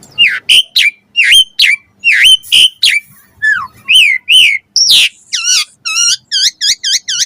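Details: Asian pied starling singing a variety-packed training song for caged birds: repeated rising-falling whistles, a downward slur, a harsh burst, then a quick series of bouncy chirps.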